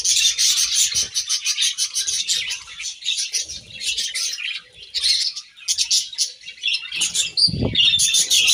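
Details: Budgies chirp while eating grass: a busy stream of quick high twittering and warbled notes from several birds, with a short low thump near the end.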